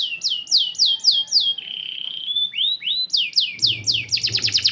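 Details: Canary song serving as a prompt to make other canaries sing: looping slurred chirps repeated about four per second, a sustained flat whistle, rising notes, then a rapid trill over low background hum.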